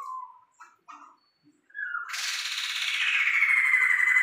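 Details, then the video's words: Tame, very vocal captive Sumatran laughingthrush: a few soft low whistles, then a loud, sustained harsh rasping chatter that swells and continues to the end, indoors. "Poksay Sumatra super gacor dan jinak"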